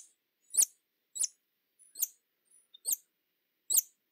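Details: Hummingbird calling with sharp, very high, downward-slurred chips repeated about every 0.6 to 0.9 seconds. Each is a clean, ticking note against silence.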